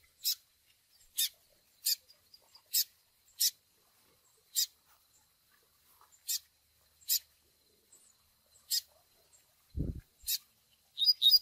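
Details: Double-collared seedeater recording for song training of young birds: sharp, high, scratchy chick begging chips repeated roughly every three-quarters of a second, with a brief low thump near the end.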